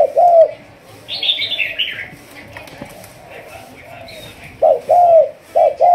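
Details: Spotted dove from Malaysia, 'thúc gù' strain in decoy training, gives a short coo, falls quiet while a higher chirping bird and faint voices sound, then resumes with three quick coo notes.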